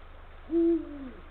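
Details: A male Eurasian eagle-owl calls to the female from the nesting area late on the afternoon of 17 February 2023; one deep, booming note that falls slightly in pitch before ending, steady hum underneath.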